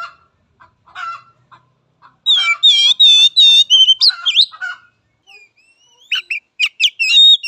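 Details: Oriental magpie-robin training song for young and untrained birds. Scattered soft chips lead into loud, rapidly repeated ringing whistles, then a pause and a run of sharp, upslurred whistled notes and trills.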